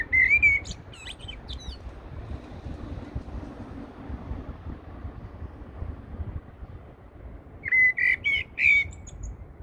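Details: Eurasian blackbird song from Heidelberg Castle: two clear phrases of rich fluty whistles, each closed by a faint high twittering flourish, separated by a quiet pause in soft background noise.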